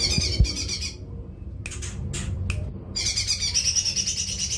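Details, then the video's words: High, rapid, chattering warble from a lesser green leafbird, broken by a short pause with a few scratchy notes, then resuming as a continuous pulsing twitter over a low background hum. "suara cucak ijo mini"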